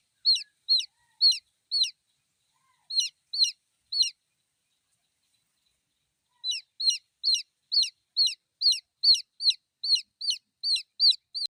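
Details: Chicken chicks peep for the mother hen: high, shrill downslurred cheeps repeated about twice a second in bursts, with a short pause before a longer run.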